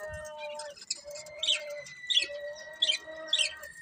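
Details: Budgerigars of a breeding pair chirp: sustained steady harmonic tones overlaid by short sharp high chirps repeated roughly every half second.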